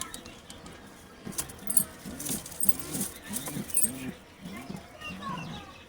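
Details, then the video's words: Pigeons, a new pair in a colony, give a run of low, rolling coos, about seven in a row, each a short rising and falling phrase, with faint jingling and scattered background noise. "kabutar new pair in colony"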